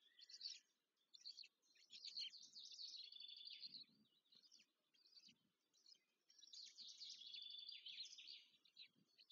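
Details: Black stork young being fed at a Polish nest, Łódź, 14 May 2023: two long waves of rasping, wheezy begging squeals separated by a quieter lull with scattered squeaks and soft low thumps.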